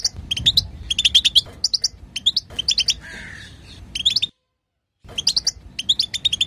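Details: European goldfinch female chatter to stir the male into song: quick rattling clusters of thin, bright chirps, a short raspy note midway, then a sudden silent break before the twittering resumes.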